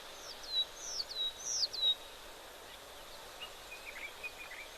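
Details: Many oxpeckers give thin, high, hissing chirps and short buzzy notes in quick irregular bursts as they move around at an African waterhole near elephants, over a steady hiss of background noise.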